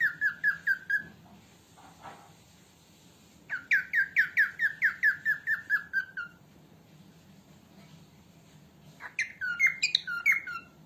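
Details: Female cockatiel calling, for training other cockatiels: bursts of repeated descending whistled chirps, a quick run of about four, then a longer series of about ten, a pause, and finally rising and falling squawky notes, with faint room hum.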